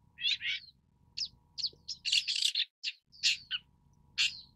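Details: Long-tailed Shrike (Lanius schach): short, grating notes and slurred chirps in irregular bursts, about one per second, with a faint low rumble of background noise underneath.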